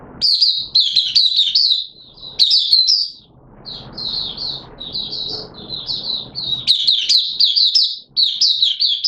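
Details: Caged oriental white-eye in open song during wet weather, 6 September 2022: long strings of high, fast, slurred chirps, louder at the start and end, with a quieter run of notes over faint background noise in the middle.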